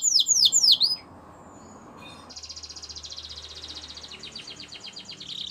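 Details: Russian canary: three loud, swooping downslurred whistles, then a pause and quieter, fast rolling trills that build slightly toward the end.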